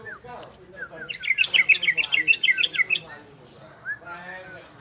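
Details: Ropel and garudo singing by an orange-spotted bulbul, used to prompt breeding condition in listening birds: a few lower slurred notes, then a fast burst of bright, jumbled chirps, ending with scattered softer notes.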